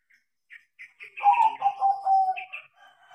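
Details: Tame crossbred zebra dove (perkutut crossing) singing energetically after training: a few soft introductory notes, then a mid-pitched rolling coo phrase of several linked, slightly descending notes, ending with a higher buzzy note.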